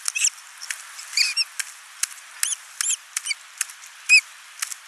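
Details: Ospreys at a nest camera in Finland on 29 June 2024, the father arriving with a big live fish while the mother feeds their single chick; short, high, downslurred chirps come in scattered bursts among sharp ticking clicks.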